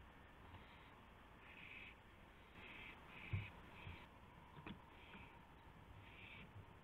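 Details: Owl at its nest around 1:00 AM on 24 March 2016, with a gopher delivered as prey. A run of raspy hissing bursts mixes with several loud knocks and thumps of movement.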